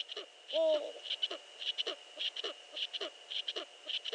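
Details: Eurasian eagle-owl at night, 5.31 AM, 15 March 2013: a loud, quavering, drawn-out whine opens, followed by a run of short, husky, down-slurred notes repeated irregularly, against a steady high-pitched electronic hum.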